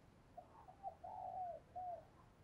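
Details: Decoy spotted dove cooing to draw in wild doves: a quiet phrase of low coos ending in a longer slurred note, set against a constant background hiss.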